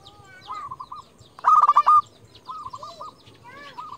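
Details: Local zebra dove, a lure bird that calls out rivals, gives one loud, buzzy, stuttering burst of rapid pulsed coos, then softer rolling coo phrases before and after. Faint background hiss.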